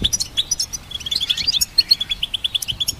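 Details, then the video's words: ['Steady goldfinch song from a hybrid bird used to train songbirds: bright clipped chirps repeated several times per second, with a short tinkling run midway.'] "Goldfinch Symphony"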